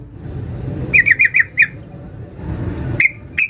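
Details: Female sooty-headed bulbul calling for a male: a quick series of five bright, sharp notes, a pause, then two more isolated notes, with a faint low rumble behind.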